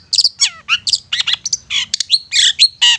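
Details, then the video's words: Lure recording of a long-tailed shrike meant to make mute birds sing and get worked up: a dense, jumbled medley of harsh squawks, downward-sliding whistles and high chattering notes without pause. "Cendet Bisu Miyik Mbagong bakalan GACOR dan EMOSI dengan Pancingan Cendet Ini"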